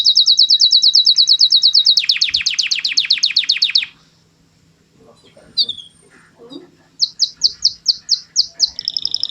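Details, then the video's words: Canary song: a rapid rolling trill that shifts to a lower, denser buzzy trill, then a quiet gap and a few spaced whistled notes followed by another quick trill. "Κελαηδημα καναρινιου canary singing"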